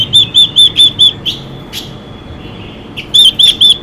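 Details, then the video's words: Chinese hwamei female, heard to excite cock birds: five sharp, bouncing whistled notes, a gap with faint scrapes, then four more of the same arched notes at a brisk pace. "Quế lâm mái xùy kích trống căng lửa hót hay"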